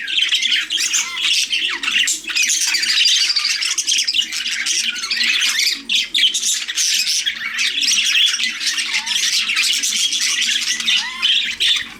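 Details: Parakeets squawking and warbling without a break, scratchy, high notes mixed with short upward-sliding whistles and chirps, loud and crowded across the whole stretch, a soft low hum running underneath.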